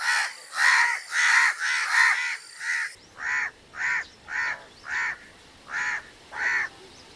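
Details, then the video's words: Harsh, raspy crow caws repeat about every half second. A louder, denser run opens the stretch, then a steadier series of single caws follows with a faint background hiss. "crow bird crowing"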